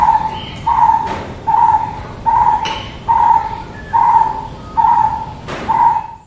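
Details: Steady hollow calls of a brown-headed barbet, eight low notes repeated about every 0.8 seconds, evenly spaced, with occasional clicks and a soft hiss behind.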